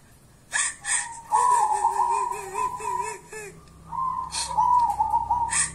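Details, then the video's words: Local wild zebra dove, called a 'kuntilanak' perkutut, giving wavering whistled coos near one pitch in two long phrases, with brief harsher broadband bursts at the start, mid-way and end, in a quiet setting. "Perkutut kuntilanak"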